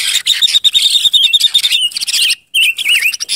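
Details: Silver-eared mesia singing as a lure bird: a rapid, even trill at one pitch, a short break, then several quick wavy whistles that dip and rise.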